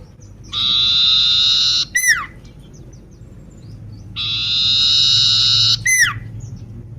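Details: Sooty-headed bulbul with a crippled leg, singing actively: two long buzzy, harsh phrases, each about 1.3 seconds, ending in sharp falling whistled notes, with quiet low background hum between.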